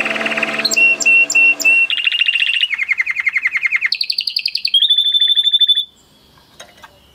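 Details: Male canary in breeding excitement singing: a long rolled tour of rapid notes, then quick buzzy trills that step up in pitch, ending in a thin high whistled roll before about a second of quiet.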